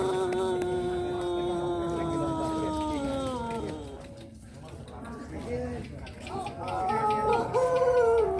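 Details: Pelung roosters at the final of a crowing contest: one long, drawn-out crow held for about three seconds, with rich harmonics and a slowly falling pitch, followed by more crows later over background crowd noise.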